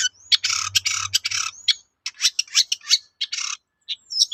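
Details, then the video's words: Long-tailed shrike in full voice for luring other shrikes to answer: harsh, broad scratchy bursts mixed with brief whistles, delivered in rapid clusters separated by short pauses. "BANYAK CENDET NYAUT MENDENGAR SUARA BURUNG CENDET GACOR INI"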